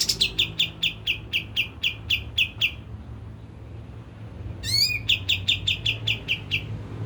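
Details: Kapas tembak lure song meant to provoke singing: a string of sharp repeated chirps, a silent gap, then rising swept notes leading into another chirping run.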